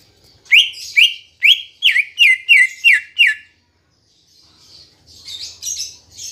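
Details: Green leafbird song as a lure to stir kept birds into song: eight loud rapid downslurred whistles in a steady run, then a quieter stretch of soft high twittering.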